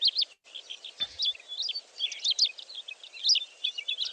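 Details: Melodious lark (Mirafra cheniana) in South Africa gives a display flight song: a rapid, unbroken medley of high chirps, trills and whistles that mimics other birds, including European bee-eaters and cloud cisticola.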